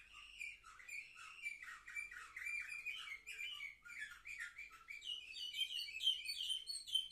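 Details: Canaries seven months old, recorded on 10 November 2023, singing a continuous stream of fast warbling notes that climbs steadily higher, ending in sharp, thin twitters.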